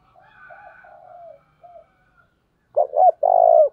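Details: Caged decoy spotted dove cooing to entice wild doves. After faint background murmur, a single phrase sounds: two brisk low notes, then a rich, drawn-out coo.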